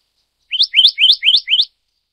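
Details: Black-naped monarch of Taiwan's endemic subspecies Hypothymis azurea oberholseri, uttering five harsh, buzzy upslurred notes in quick, even succession over about one second.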